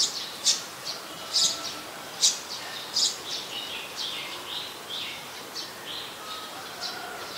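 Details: Olive-backed sunbird calling in mangrove forest at the Sirinart Rajini centre: a busy run of high, sharp tsip notes, roughly one per second, mixed with softer twittering fragments and steady ambient hiss.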